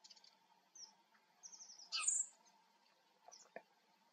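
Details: Eurasian siskin: a quick series of high, thin notes, one louder buzzy chirp, then brief scattered tweets, with a few soft knocks in the background.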